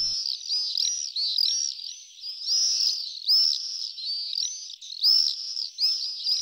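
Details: Common Swifts on a long summer evening in the city, where they nest in tall buildings, giving shrill, piercing screams; several birds overlap in a continuous high-pitched chorus that swells and fades every second or two.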